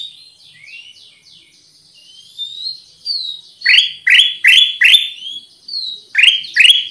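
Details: Black-capped bulbul lure sound: quiet high whistles and twitters, then a burst of five strong upward chirps and two more after a short break.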